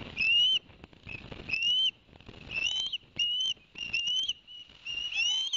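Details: Ospreys at a Barnegat Light, New Jersey nest, 11 September 2021, after the father brought two fish for the young: high, piercing whistled notes, each slurring upward, repeated in quick runs with brief gaps between.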